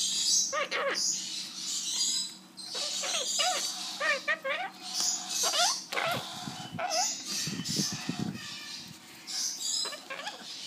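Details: A captive monk (Quaker) parakeet making friends with people gives harsh, grating squawks in quick bursts of three or four, with lower murmuring in the middle; finding: Monk parakeet.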